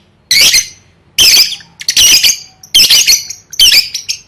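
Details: Lovebird in training for song contests, giving five loud harsh screeching bursts roughly once a second, each followed by a fading rasp.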